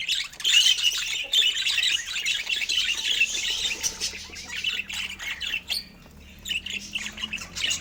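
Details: Budgerigars chattering as they enjoy healthy fruit, a busy stream of raspy chirps and short squawks that fades into a quiet gap before picking up again.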